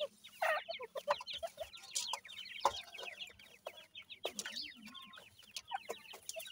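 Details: Feeding grey francolin chicks give constant high, thin peeps that slur downward, many birds calling over one another, broken by a few sharp clattering knocks.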